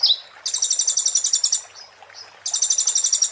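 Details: Muntah beling song of an Oriental white-eye, used as a master recording: a downslurred note, then a fast buzzy trill of about twenty pulses. Two soft notes follow, then another dense trill.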